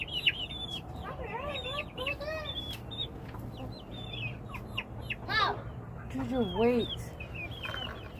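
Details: Flock of chickens with loud, clear harmonic calls: wavering, arching cries and quick chirps in bursts, one strong drawn-out wail near the middle, low background hum throughout.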